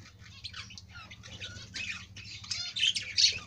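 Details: Budgerigar chattering in rapid scratchy chirps and squeaks that grow louder toward the end, over a steady low background hum.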